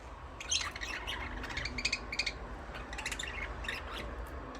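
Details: Pet budgies squawking and chirping together, dense bursts of harsh, buzzy notes with bright whistled overtones, two main bouts separated by a short lull.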